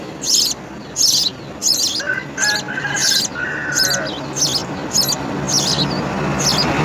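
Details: Nestling house sparrows receiving insects from a parent call in rapid, rasping high chirps, repeated over and over, while music plays with brief mid-pitched tones.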